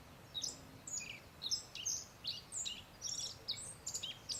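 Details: A Black-faced bunting perched about 3 m away at Settsukyo gorge, northern Osaka, Japan, gives thin, high, sharp notes, several per second in quick irregular bursts, over a soft background hiss.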